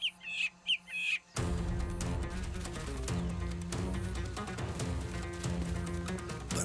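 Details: A drongo gives three harsh, rasping false alarm calls in quick succession with no eagle present, tricking meerkats into abandoning their food so it can steal the scraps; then music takes over.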